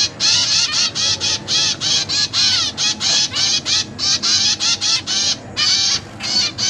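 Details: Zebra finch chicks in a cage, fed by busy parents, with newly hatched and juvenile young present; a fast run of loud, nasal, buzzy harmonic begging calls repeated several times a second, almost without pause.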